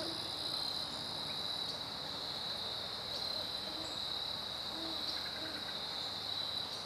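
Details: Great horned owl duet recorded September 15, 2012: soft, low, short hoots spaced irregularly through the clip, faint beneath a loud, steady, high-pitched insect chorus that fills the background throughout.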